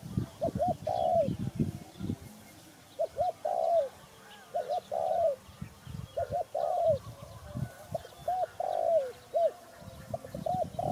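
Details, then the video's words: Steady series of spotted dove coo phrases, roughly one every one and a half seconds: two brief notes then a longer sliding coo, with low thuds and faint chirping birds behind. "Sound Spotted Dove"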